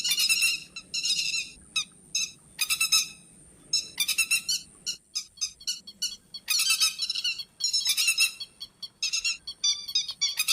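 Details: Night net-trapping lure of grey-headed lapwing: rasping, chattering call bursts, some long and some clipped, repeated irregularly over a constant thin high whine.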